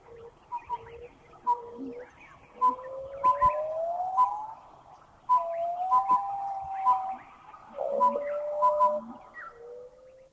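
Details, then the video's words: Collared owlet from Thailand giving its piping hoot: clear, hollow whistled notes in short runs, some level and some gently rising, spaced irregularly, with soft chirps and faint insect-like ticks from other birds behind. "Number 9, the piping hoot of the collared owlet."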